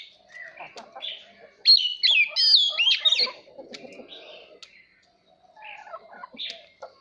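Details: Oriental magpie-robin song for voice training of young birds and to prompt competitive singing: varied whistled, slurred phrases in loud bursts, scattered clicks and short chips, a soft low rumble in the background.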